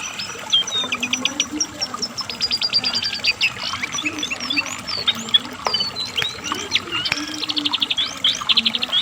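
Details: Asian brown flycatcher in steady full song, played to train and lure kept songbirds such as magpie robins: dense, high, varied twitters with quick rising and falling whistles and brief rattling trills, plus a low background hum.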